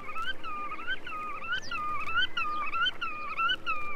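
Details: Black-tailed Godwit from a Soviet vinyl sound guide of waders, recorded between 1961 and 1981: a quick run of nasal, wavering two-part notes that rise and dip, repeated several times per second over a steady record hiss.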